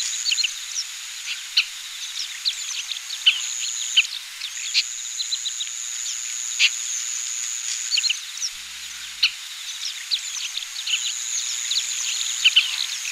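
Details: Oriental pratincoles in Pingtung County, Taiwan, on 20 April 2017, give many short, sharp chirps, scattered and overlapping as if from several birds, over a steady high insect-like whine.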